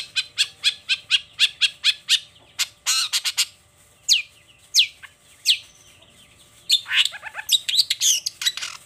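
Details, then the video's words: Long-tailed shrike in full morning song, showing off its repertoire: a rapid string of sharp clicking notes, then scattered downslurred whistles and a closing burst of mixed chattering phrases. "Suara Cendet Gacor Di Pagi Hari Toet Toet Bongkar Materi"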